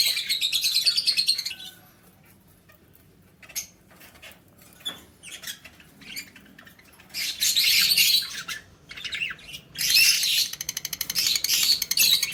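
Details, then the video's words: Lovebirds singing, recorded 20 February 2024. Shrill, rapid, rasping chatter comes in long bursts at the start, in the middle and at the end, with scattered clicks and short chirps in the quieter gaps. "love birds sounds singing"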